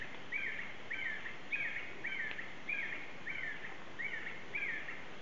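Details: Black-necked Red-Cotinga in Yasuni, Amazonian Ecuador lowland forest, giving short, slurred mid-pitched notes repeated about every half second in a steady series, over a constant low forest hiss.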